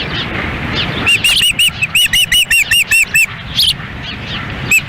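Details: Osprey nest in Lolo, Montana, June 10, 2017, a hard feeding in strong wind with the female tending young and the male nearby; steady train of sharp arched whistled chirps, roughly three per second, over gusting wind.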